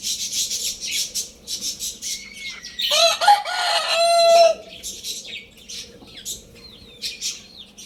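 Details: Lohmann Brown rooster crowing: a strong, rasping crow of about one and a half seconds, ending on a sustained note. Constant high twittering from small birds runs underneath and around it.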